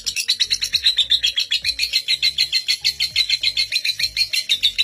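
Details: Caged lovebird's record-long ngekek trill, a master recording for young lovebirds: continuous rapid high scratchy chatter pulsing several times per second, with low thumping noises underneath.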